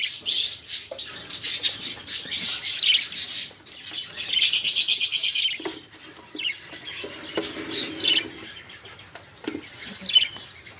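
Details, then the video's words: Several budgerigars chattering, played to get other caged birds singing; raspy warbles with a fast run of rapid repeated notes midway, then softer scattered chirps. "Suara Burung Parkit | Parkit Gacor | Pancingan Suara Burung Parkit agar cepat bunyi"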